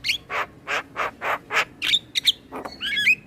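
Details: Male Asian pied starling in song for training other starlings: a run of five harsh, evenly spaced rasping notes followed by brief whistles and a buzzy, warbling phrase.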